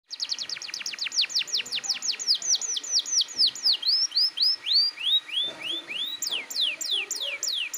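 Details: Canary in full, persistent song, played to spur young birds into singing: fast sweeping high notes repeated about four per second, slowing into longer rising and falling whistled phrases.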